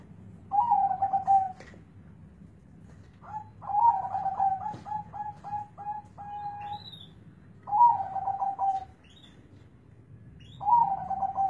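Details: Zebra dove with a large, bassy voice delivering repeated cooing phrases: stuttering pulsed notes run into drawn-out purring trills, four bursts a few seconds apart, with faint higher chirps of other birds in the background.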